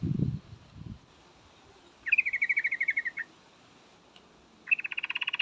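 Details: Two quick, buzzy chattering rattles from a female yellow-vented bulbul calling a male, separated by a pause, with a low rumble at the start and steady hiss behind.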